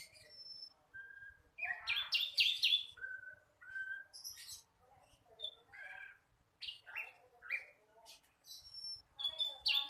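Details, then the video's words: A young flycatcher still learning its song, singing non-stop: a loose run of short whistles around mid pitch, broken by sharp high chirps and brief buzzy bursts, with gaps of silence between phrases. "Sikatan londo masih belajar bunyi"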